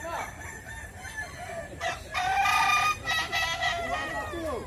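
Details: West Sumatran Kukuak Balenggek rooster crowing at a contest, a strong sustained crow broken into several ringing steps, with many other cocks crowing in rising and falling arcs behind it.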